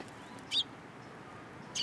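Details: Sparrows at a Tenmangu shrine on 13 April 2023, coming to a hand to be fed; two brief, bright, high chirps over a second apart, separated by quiet background noise.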